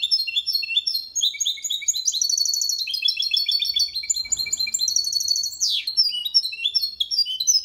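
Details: Goldfinch × canary hybrid performing error-free Malaga-style song to help chicks memorize: continuous high, rapid trills and chirped phrases, including a sweeping downward note near the sixth second and a faint low rumble in the background.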